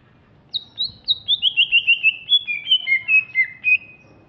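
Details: Greater green leafbird from Alas Purwo, Banyuwangi, East Java, described as larger and fierce-looking, sings a rapid, varied chain of high whistled notes that slowly descend in pitch over about three seconds.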